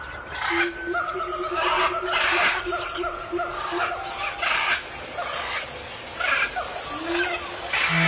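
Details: Wild macaws at a nesting site give harsh, raspy squawks in short bursts, roughly one every second or two, over a steady low hum and faint background noise.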